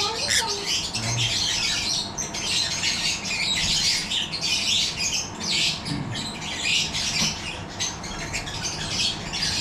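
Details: Yellow-collared lovebirds in a breeding aviary setup, continuous overlapping screechy chatter and squawks from numerous birds, pulsing irregularly, over low background rumble.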